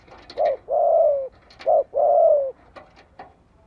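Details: Spotted dove luring others to answer with two rounds of cooing, each a brief mellow hoot followed by a drawn-out, slowly falling coo, with light tapping sounds around them.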